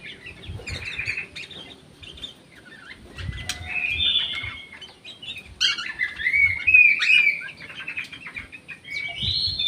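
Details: Orange-headed thrush kept in an aviary with another bird, heard in a natural recording: varied clear whistles and short buzzy notes, rising and falling phrases, with fluttering wingbeats in the background.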